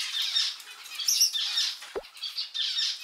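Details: Household rainbow lorikeets mediating a squabble and imitating their owner's habitual phrases: continuous grating squawks and chatter, with one sharp low knock midway.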